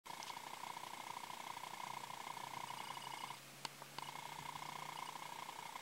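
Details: Male Brazilian teal giving a steady, rapidly pulsed mid-pitched trill for over three seconds. It breaks off briefly around a couple of sharp clicks, then resumes at the same pitch. A faint low hum runs beneath.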